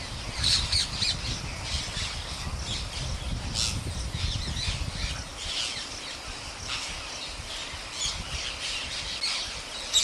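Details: A large flock of wild parrots, about 10,000 being fed daily by a farmer in India, keeps up a dense, overlapping chorus of harsh, high squawks. A low rumble of wind or handling noise fills the first half.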